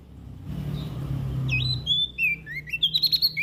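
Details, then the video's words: West Nusa Tenggara olive-backed tailorbird in full song. Low rumbling noise gives way to high whistles and quick, bending chirps that speed into a rapid twittering run near the end. "PRENJAK DAUN NTB GACOR"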